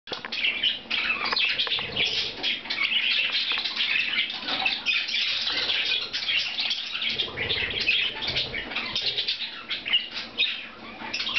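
Budgerigars chatter nonstop, a dense mix of warbles, chirps and squeaky twitters.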